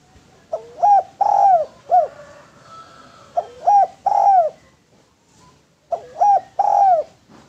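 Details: Spotted dove cooing, a song used as a lure and to train other doves: low hollow three-part coos, a short note then a longer swelling one, repeated in phrases with pauses between.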